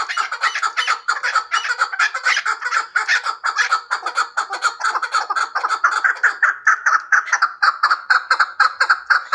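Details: Hybrid chukar partridge delivering a steady stream of loud, gravelly chuk notes at roughly two per second, rhythmic and scratchy throughout.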